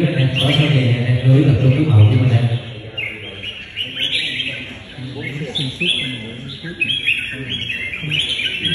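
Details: Red-whiskered bulbul, a captive fighting-trained bird during a singing contest bout, giving quick, bright chirping phrases that repeat rapidly over men talking and music, loudest in the first seconds.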